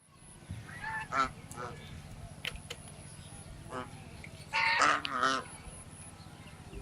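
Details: Swan calling in natural surroundings: scattered short nasal honks with rich harmonics early on, then a louder, harsher double honk a little before the middle-to-late part, all over a steady low background hum.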